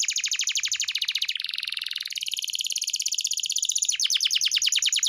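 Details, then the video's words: Canary master song for pet birds: a long continuous rapid trill of repeated notes, shifting in tone partway through and speeding into sharper chips near the end. "Masteran Burung Kenari _ CANARY SINGING"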